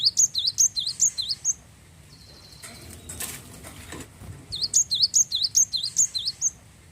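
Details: Prolific glatik wingko, a Java sparrow, sings to prompt other birds into song. It gives quick runs of sharp, high, swooping chirps at the start and end, with a short noisy gap of rustling between.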